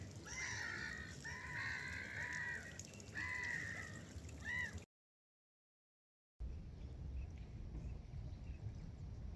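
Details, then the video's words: Seagulls in flight over a river give a run of harsh, nasal calls in quick succession for about five seconds, then a short silence, then only the low murmur of flowing water. "Flying Seagulls Over River 🕊️ | Чайки над рекой"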